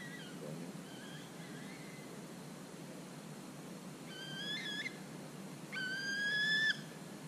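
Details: Bald eagles, four birds, on a street in Juneau, Alaska in winter, feeding on fish heads and bones on the ground and in flight; faint high calls early, then two louder bursts of clear stacked whistled notes, the last a long level squeal.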